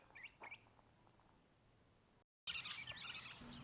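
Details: Western Kingbird in springtime at Bosque del Apache gives a few sharp, high chips, then after a brief break a dense, squeaky, bickering chatter of rapid high notes; kingbirds chatter constantly and attack hawks or ravens near their nest. Faint background hiss.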